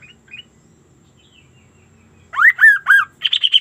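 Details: Sunda laughingthrush in full voice, giving an unusual sound. After near silence with a few faint chirps, it gives a burst of three loud, harsh, arching notes. A fast series of higher, rapid squeaky notes follows.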